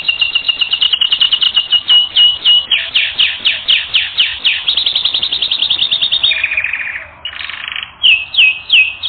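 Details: Training recording of a singing canary: a long, continuous, high-pitched performance of rapid repeated notes, trills changing speed and tone, with a short pause and then bright whistled syllables returning.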